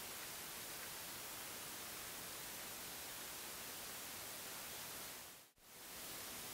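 Only a constant wash of broadband static hiss, briefly dropping out near the end, with no animal voice.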